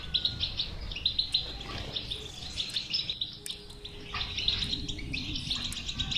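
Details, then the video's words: Goldfinch twittering recorded as batbata to encourage a non-singing goldfinch: continuous high, rapid chirping with short buzzy phrases, above a low background rumble. "اذا لديك مشكله في حسونك انو لا يغرد لا تخاف هذه البتبته الحل وعلاج الحسون الصامت بتبته"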